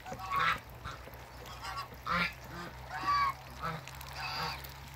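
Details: African geese, a couple met on a waterbird farm, give several loud harmonic honks spaced about a second apart, with a low steady hum beneath.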